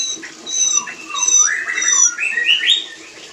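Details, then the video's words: White-rumped shama breeding sound: short sequence of slurred, rising whistles and squeaky notes, with faint high tonal lines and steady background hiss. "Terapi Suara Murai Batu Kawin"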